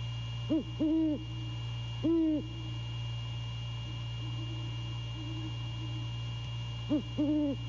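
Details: Male great horned owl hooting after dark on 6 January 2022 near Savannah: a paired short-long hoot, a single long hoot, soft low murmurs, then another short-long pair, against a continuous electrical drone.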